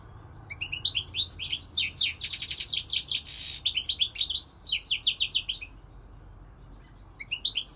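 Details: European goldfinch song: long, lively sequence of fast twittering notes, a dense buzzy trill in the middle, more tinkling phrases, a pause, then a new phrase starting; soft low hum throughout.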